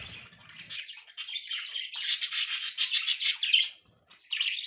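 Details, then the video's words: Budgies chatter in a rapid, raspy warble that pulses several times a second, pauses briefly, then resumes, with a faint low rumble at the start. "Beautiful Budgie Parrots Chirping Sounds"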